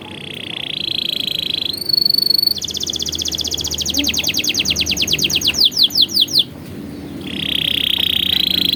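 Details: Canary tutor song for training young canaries, with rich varied phrasing: a steady high trill, a brief higher note, then a fast run of rapid downward-sweeping notes that slows toward the end, then the high trill again.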